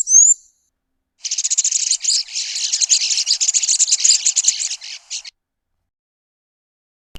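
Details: A Blue Waxbill, a Southern African species, gives one thin rising whistle, then about four seconds of rapid, high, squeaky chatter over a quiet background.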